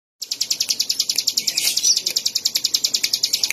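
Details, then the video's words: Bar-winged prinia singing a fast, even series of sharp high notes, about three to four per second, steady and unbroken after a brief silent start, with faint background noise beneath. "suara burung ciblek"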